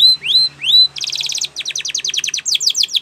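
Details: Spanish Timbrado canary: three long upslurred whistles, then a tight metallic rattle, a run of fast falling notes and rising chirps. A training song for other canaries.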